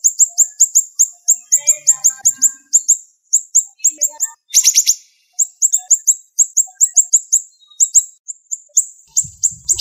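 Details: Siri-siri bird in a sharp, fast-paced master song: long runs of very high, clipped chips, four or five per second, broken by short pauses and one dense, rasping burst partway through.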